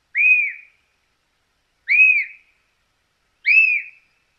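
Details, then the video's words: White-crested Elaenia, one of Argentina's common birds, gives three clear, slightly slurred whistles, each about half a second long and spaced roughly every one and a half seconds, against a quiet background. "Fiofio silbón"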